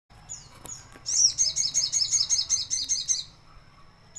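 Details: Sooty-headed bulbul bathing in ice water; after two thin downslurred notes, a fast run of about a dozen high, evenly repeated chirping notes lasts two seconds, then stops.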